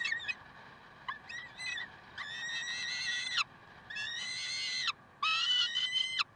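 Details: Peregrine falcons recorded in Karlsruhe at 7:27 on 30 May 2010: several short broken notes, then three sustained, strained, nasal wails, each about a second long and ending in a downward slur.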